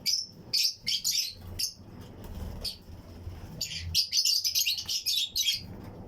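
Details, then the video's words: Pairs of Fischer's and lutino lovebirds in a colony aviary give sharp, high-pitched chirps in quick bursts, a pause near the middle, then a thick run of shrill tweets; low background hum. "Fischers & Lutino Colony Chirping Sounds"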